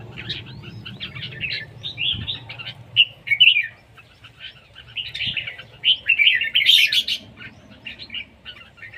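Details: Red-whiskered bulbul singing in a contest, siêng ché style: a long string of varied warbling and chirping phrases, louder rich bursts around the middle and toward the end, over a low background rumble.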